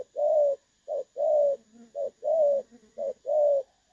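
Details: Spotted dove, 'đồng son' clear-toned voice, recorded 16 August 2024 as a lure for trapping. It gives close-up full coos, a short note then a longer one, nearly each second. Quiet lower coos murmur between the notes.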